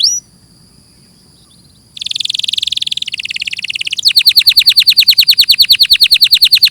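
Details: Canary song beginning with a brief high whistle and near silence, then a dense buzzy rattle at two pitch levels, finishing with a fast, very regular trill of sharp descending notes.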